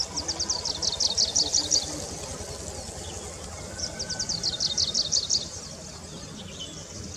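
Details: Grey-breasted Prinia in scrub beside a road, giving two bursts of rapid high, thin, clipped notes, each about ten notes over under two seconds, separated by a short pause, with low background hum.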